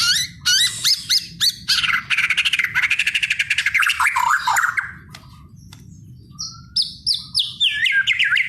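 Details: White-rumped shama in full 'ngegas gacor' song, melodious and continuous: fast sweeping chirps, then a long harsh rapid rattle lasting about two seconds, a short pause, and bright whistled notes with quick descending high slurs.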